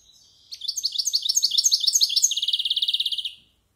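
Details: Yearling European goldfinch rehearsing a good, varied song for bird-keeping hobbyists: a burst of rapid liquid twitters that shifts into a dense, steady rattling trill lasting about a second, clean background.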